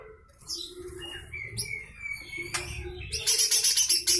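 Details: Lesser green leafbird with harsh rattling song for training other songbirds. It opens with varied thin whistles and slurred notes, then breaks into a rapid dry rattle of repeated grating notes near the end.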